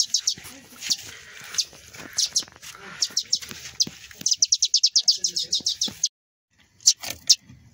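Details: Two sparrow chicks fallen from their nest give high, thin chirps, first scattered, then a fast run of about eight sharp cheeps a second before a brief pause.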